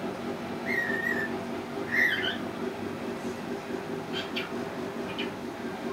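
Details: Pet male cockatiel practicing in his cage, known to whistle the Mickey Mouse March and mimic words like chuki-chuki; two short clear whistled phrases about a second apart, then faint ticking notes, over a steady low hum.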